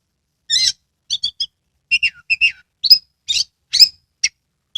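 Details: Caged Oriental magpie-robin (kacer) singing a lure song meant to make lazy birds sing with open tail: quick whistled notes and chirps in short bursts, some paired and repeated, falling slurs and sharp high accents.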